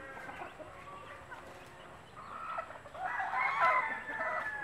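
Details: Native hen calling her chicks to food with a particular clucking noise: soft, uneven clucks that swell into a louder, denser run of calls in the second half, over a steady background hiss.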